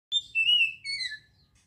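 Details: Oriental magpie-robin song meant to stimulate arousal and aggression in kept birds: a clear high whistled phrase of sliding, gently falling notes, ending with a second lower descending whistle.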